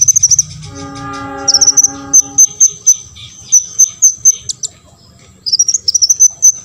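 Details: Olive-backed sunbird singing to provoke rival sunbirds: a long run of thin, very high piping notes repeated about twice a second, opening and closing with fast twittering flourishes, while a brief low harmonic drone sounds early on.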